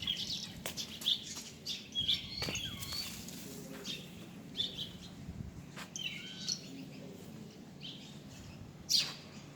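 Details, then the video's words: High thin bird chirps and brief twitters come in loose clusters, some louder single notes standing out, with a soft steady low hum underneath. "Amazing Bird sounds"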